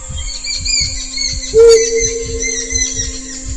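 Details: A courting male Mottled Wood Owl at night gives a single loud, steady, low hoot held for about two seconds, reacting to a female's response, over rhythmic low throbbing and faint high chirping; finding: Mottled wood owl.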